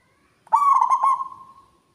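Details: Single loud phrase from a local zebra dove: a burst of stuttering, throaty coo notes followed by a smooth, trailing hum that slowly dies away, with a quiet background.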